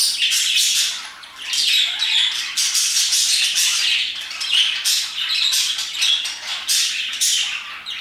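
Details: Several parakeets chirp and sing energetically around 2pm, producing a constant, high-pitched tangle of harsh squawks and short whistled chirps with a brief lull early on.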